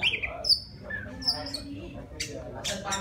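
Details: Forest-living Oriental magpie-robin singing to attract a female. Clear high whistles and short slurred notes are followed by two rasping bursts, with a low background hum throughout.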